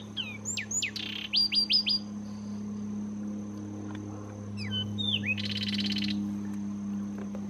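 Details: Melodious Zapata wren song from the Zapata Swamp, Cuba: high sweeping whistles and quick descending notes, a later whistled phrase and a dense buzzy trill, over constant low humming background noise.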